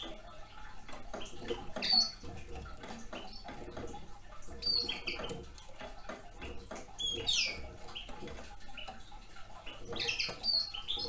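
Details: Young male Red Crossbill feeding on cones, giving short sharp high chirps every two to three seconds over steady crackling and clicking from cone work, with low background rumble.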